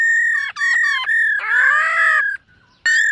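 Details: Black-throated laughingthrush singing in the morning, múa style: loud level whistles interrupted by a harsher, buzzy, rising-and-falling phrase, then a short pause and another bright whistle.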